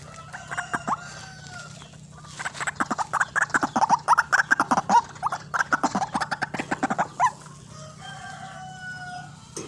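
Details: White-breasted waterhen lure call for bird trapping: after quiet whistles of other birds, a fast, loud run of harsh pulsed grunts lasting several seconds, then fading back to soft background whistles.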